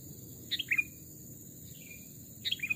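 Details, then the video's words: Captive sooty-headed bulbul used as a decoy, taken into the forest for a voice test. Three quick chirpy phrases, each a pair of descending notes, with a faint whistled slur between them over low background hum. "burung kutilang pikat||tes mental dan suara saat di hutan 2 jenis Burung Kutilang"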